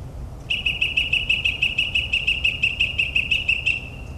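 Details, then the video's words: Northern mockingbird performing at midnight in New Jersey suburbs, copying other birds with one rapid even series of about twenty identical whistled notes, steadily repeated for over three seconds, then a trailing whistle. "Mockingbird's Nocturnal Performance in NJ"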